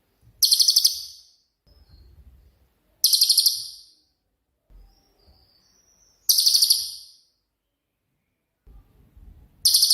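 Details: Cililin (pygmy tit), used as master audio for training songbirds like magpie-robins, repeats short, very high, rapid buzzy trills about every three seconds, with faint low rustling between bursts.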